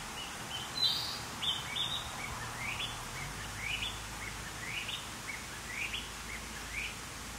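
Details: Narcissus flycatcher singing: a run of short rising whistled notes, bright and slurred upward, repeated about once a second with soft chirps early on, over steady low background hiss.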